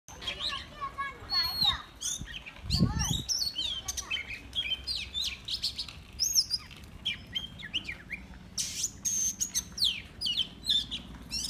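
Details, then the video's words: Caged decoy Oriental magpie-robin singing freely: a rich run of varied clear whistles, sliding slurs and sharp high chirps in quick bursts, with a low thump near the middle and steady background hum. "Ngẫu hững choè than mồi"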